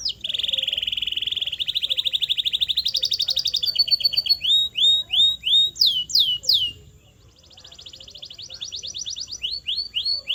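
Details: Canary song for teaching canaries to sing: a long fast buzzy trill at steady pitch, then rising sweeping phrases, loud falling swoops, a short pause, and a quieter rapid trill with rising notes.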